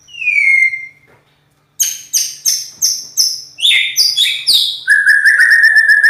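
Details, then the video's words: Champion-class white-rumped shama (murai batu) with a loud, harsh voice: a falling whistle, a pause, then about eight crisp, high chopped notes repeated rapidly, ending in a fast trill. "Kicau murai Batu,Suara kasar, Terbaik di kelasnya."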